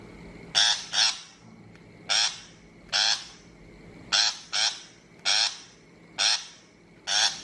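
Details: Shrike call for luring birds to a trap, 2023: around eleven harsh, grating notes, several in close pairs, spread across seven seconds over a low steady hum.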